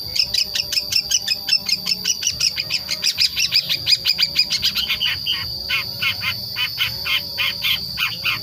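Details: Young long-tailed shrike, five months old, still learning and singing its natural untutored notes: a rapid, scratchy run of chattering, squeaky notes.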